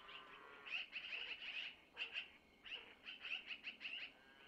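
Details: Long-eared owl owlets at a nest camera in Missoula as their mother takes food from the male to feed them: bursts of thin, high squeaky chirps in rapid clusters, with short pauses between.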